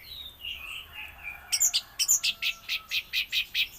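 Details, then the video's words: Singing orange-headed thrush in raja patah style, soft wavering whistles giving way to a rapid train of sharp, high repeated notes. "anis merah KJ (raja patah)"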